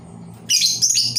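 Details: Labet bird used as a lure to draw in wild labet birds, uttering a quick, high, scratchy twittering burst with a brief break midway before resuming.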